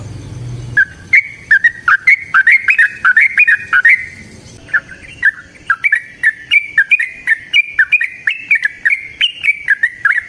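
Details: Wild yellow-vented bulbul's long continuous song, used as a lure so other bulbuls sing: loud, rapid chatter of slurred whistles rising and falling, almost without pause, after a short low noise at the start.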